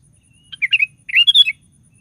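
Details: Two short, chattering, liquid phrases from a sooty-headed bulbul in full song, a bird meant to set other bulbuls singing; each burst holds a few quick up-and-down notes, with a quiet background.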